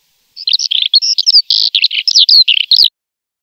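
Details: A Eurasian skylark (Alauda arvensis) sings a rapid, unbroken stream of high, varied chirrups, trills and slurred whistles for about two and a half seconds, with nothing else heard.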